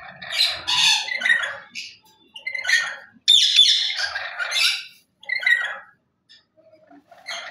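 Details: Lory parrot calling in a rapid run of loud, grating squawks and shorter raspy notes, broken by brief gaps, with a quiet stretch near the end.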